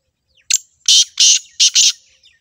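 A Black Francolin gives a loud, harsh, grating call of five rasping notes in quick, uneven rhythm over about a second and a half.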